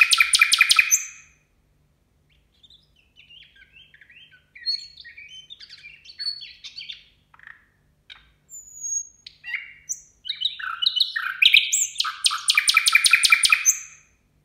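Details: Singing at New Year, a nightingale opens with a loud fast rattle, drifts into soft twittering and clicks with a faint hum behind, then ends in another loud rapid trill.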